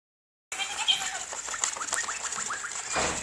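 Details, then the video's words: Two-year-old blue-streaked lory talking while playing in a paper bag: after a short silence, a fast, continuous run of chattering, voice-like syllables with a steady high hiss behind. "Lory talking and playing in a paper bag"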